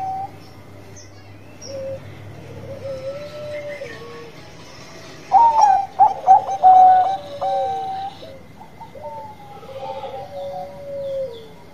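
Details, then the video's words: Bangkok-type zebra dove in active song: soft undulating coos build to a loud cluster of quick staccato notes around the middle, then return to gentle, wavering drawn-out coos. "PERKUTUT BANGKOK GACOR"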